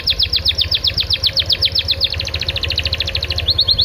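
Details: Canary song used as a lure recording to stimulate and tutor other canaries to sing: a fast trill of sharp downward-sweeping notes, about ten per second, changes into a quicker, higher rolling tour, then a new phrase. A low steady hum runs beneath.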